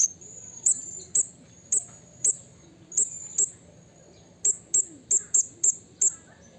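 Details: Calling for a rival in the wild, a blue-crowned hanging parrot repeats brief, sharp, high-pitched tsip notes, spaced at first, then a quicker run of six near the end, over soft background hiss.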